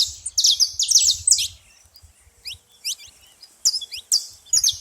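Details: Saffron finches at a feeding spot making a lot of noise: bursts of sharp, high chirps and short downward-sweeping notes, with a quiet gap midway before the chirping resumes. Soft low thumps sound underneath.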